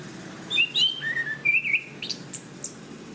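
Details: Singing Orange-banded thrush (Zoothera interpres), a forest bird of Southeast Asia prized as a cage songbird. A flowing string of clear whistled phrases dips and climbs, ending in thin, high notes, with faint background noise.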